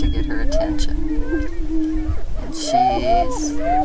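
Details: Greater prairie-chickens on a lek in northwest Minnesota near Crookston, filmed April 27, 2013, during their spring mating dance: low, moaning hoots blend into a steady drone, with rising whoops and higher cackles over it.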